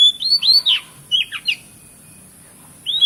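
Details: Rich whistled phrase from an Oriental magpie-robin, used to rouse silent birds: looping arched whistles and a tumbling warble, a pause, then one clear rising whistle to finish.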